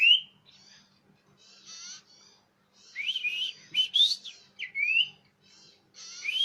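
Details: Common iora lure sound, clear and loud: a varied run of rising whistles, short slurred chirps and softer buzzy notes in irregular bursts, over a faint low hum.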